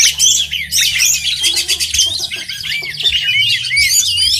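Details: Competing oriental magpie-robins sing at a songbird contest: fast rattling trills and bright whistled slurs overlap, with looping rising-falling notes toward the end.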